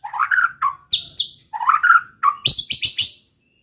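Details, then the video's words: White-rumped shama song used to provoke rivals: rich warbled whistles alternating with high sharp notes, ending in a quick run of loud high chips. "pancingan muraibatu gacor bikin murai lawan dengar AUTO EMOSI TINGGI"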